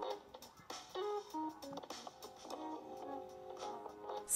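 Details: Quiet plucked guitar melody of short notes and small phrases, with a brief rustling noise at the very end; no animal sounds.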